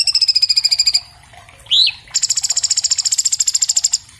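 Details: Orange-bellied leafbird, Chloropsis hardwickii, captured on an iPhone 7 Plus for teaching cage birds: a fast, evenly pulsed high trill, a pause, one sharp rising-falling whistle, then another long rapid stuttering trill at steady pace.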